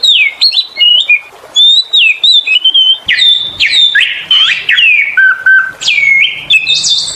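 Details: Oriental magpie-robin singing continuously to lure other birds: sweet looping whistles and slurred phrases at varied pitches, including falling notes and a low steady whistle, delivered with barely a pause.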